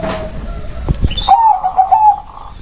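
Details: Local zebra dove cooing a soft rolling trill that holds a level pitch for over a second after a couple of sharp knocks; a faint higher whistle sounds briefly before it.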